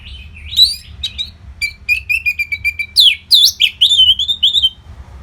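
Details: Caged orange-headed thrush from Singaraja, North Bali, in nonstop song meant to keep contest fighter birds fit: quick chirps and a steady string of even whistled notes, breaking into rich, looping, slurred phrases; low background hum.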